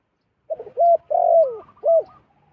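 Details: Wild zebra dove flying down to a decoy bird: a short cooing phrase of a few quick, clipped notes, the middle note drawn out and falling, over a quiet background.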